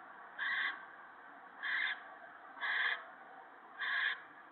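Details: Owl nest on 28 March 2017 at night, an adult shredding a gopher for the owlets; four distinct raspy screech-hisses, about a second apart and clearly above a quiet hum.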